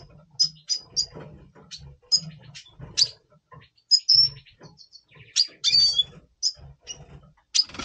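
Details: Red siskin, double pastel, singing in November 2023 ahead of breeding: varied high chirps, a short descending whistle and twittering phrases in loose bursts, with low background noise.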